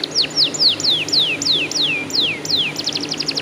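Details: Canary song used to prompt other canaries to sing: a series of clear, steeply descending whistled sweeps repeated about four times a second, ending in a quick run of short high notes, over a low background hum.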